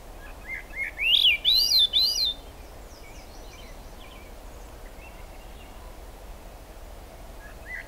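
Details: Rainy July day in the Squamish River Estuary, a Swainson's thrush sings one spiralling phrase of quick upward-looping whistles, followed by several seconds of rain noise with faint distant notes.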